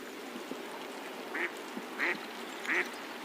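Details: A male American black duck gives three short, nasal quacks about two-thirds of a second apart, a generic quack hard to tell from a mallard's, over a faint background hiss.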